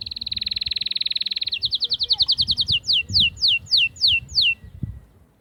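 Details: Atlantic canary song used to arouse females for mating: a long even rapid trill changes into quick slurred notes, then slows to about eight loud separate falling whistles roughly two per second.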